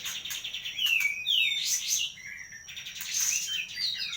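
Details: Kapas tembak from Medan singing a lively song of slurred, descending whistles and quick chirps, with a thin steady high tone running underneath throughout.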